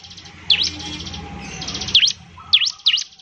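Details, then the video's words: Actively singing bar-winged prinia, recorded to coax other prinias into song: a dry buzzing trill with four scattered, sharp V-shaped whistles that drop and rise steeply, and a faint lower warble in between. "ciblek semi gacor, memancing ciblek semi cepat bunyi"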